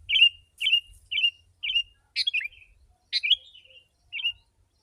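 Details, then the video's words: Sooty-headed bulbul sung densely as a wild-bird lure: a run of short, clear chirped notes at an even beat, broken by two longer bubbly, chattering phrases, then one more single chirp. "Kutilang si.ladusing super gacor suara rapat menekan burung liar"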